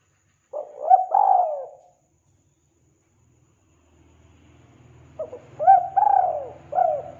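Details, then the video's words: Two cooing phrases from a vigorously calling spotted dove, each mixing short hooked notes with a long falling coo, separated by a gap filled with faint low rumbling noise. "Suara burung tekukur gacor"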